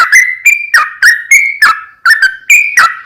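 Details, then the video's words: Sooty-headed bulbul singing in the long rapid 'ropel panjang' style, used to lure other bulbuls into answering: clear whistled notes about every half second, alternating slightly higher and lower pitches, each with a sharp attack. "JADIKAN SUARA trucukan gacor ROPEL PANJANG pancingan trucukan agar bunyi burung trucuk gacor NYAUT"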